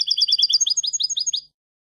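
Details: European goldfinch song as a model for young birds to learn: rapid high twittering notes repeated in quick succession, then a slightly slower run of sweeping chirps, about one and a half seconds.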